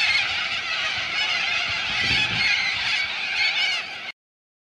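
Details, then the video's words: Flock of corellas at Minkie Lagoon, Coopers Creek, near Innamincka in South Australia, giving loud, raucous, rasping screeches that merge into an unbroken wall of noise, then stop abruptly. "CORRELAS AT MINKIE LAGOON"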